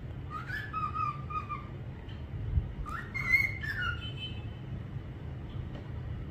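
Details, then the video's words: Parrot whistling: short clear whistled phrases, some gliding and some steady, in two bursts near the start and middle, then quieter, over a low background hum. "parrot sound whistling"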